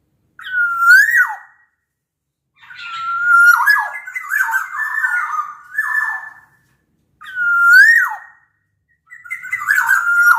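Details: Big-bodied black-naped oriole from Sumbawa sings to make other orioles join in: repeated mellow whistled phrases, each with an upward slur and falling tail, coming in bursts every two to three seconds in a quiet setting.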